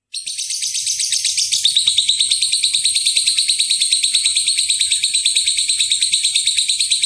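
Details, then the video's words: Lovebird giving a long ngekek, used as a lure to provoke other lovebirds into calling. The bird starts abruptly with a loud, shrill, rapid chattering that never stops, pulsing about three times a second, harsh and high-pitched. "Pancingan suara lovebird ngekek panjang"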